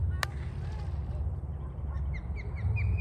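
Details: Bald eagle screaming in a backyard as it swoops in to chase an osprey eating a fish in a tree. A series of thin, high, chirping notes comes in the second half over heavy low wind rumble, after a sharp click.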